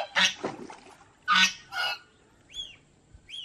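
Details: Domestic geese at Planet Earth Aquarium, Mysore, give harsh, nasal honks in a few uneven bursts, each under half a second; a small bird adds two thin, arched chirps near the end.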